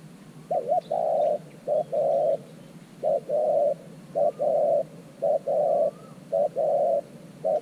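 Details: Spotted dove used as a decoy in a clay trap enclosure to attract wild doves. It repeats low hollow phrases, each a short coo and then a longer sustained one, about once a second in a steady series.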